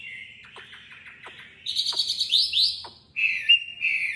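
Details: A tame caged Chinese hwamei, Hanoi, Vietnam, sings competitively: soft wavering notes broken by sharp clicks, then a loud pair of rising whistles and a steady, bright whistled note.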